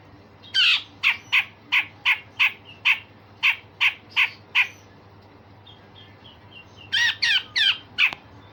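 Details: Grey-cheeked bulbul with rough notes and sharp bursts, a tutor for songbirds: about eleven steady raspy calls at a brisk even pace, a pause with faint whistles, then four louder notes.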